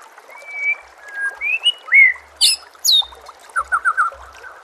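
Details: White-rumped shama masteran song with nature sounds and trickling water: long sliding whistles and a rising slur, two sharp high notes, then four quick descending whistled notes.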